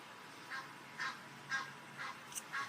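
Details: One of two ducks on a rooftop in the early morning gives five short, nasal quacks, evenly spaced about every half second, over a quiet background hiss.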